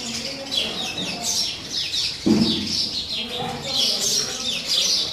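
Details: Sparrows squabbling over a new nest box: bright high chirps come in irregular runs, with a single dull thump partway through.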